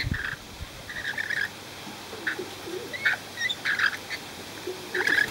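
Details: Free-flying, befriended rainbow lorikeets in Cromer, Sydney, giving short harsh screeching bursts in scattered groups, with brief chattering notes between them and quieter low murmurs beneath.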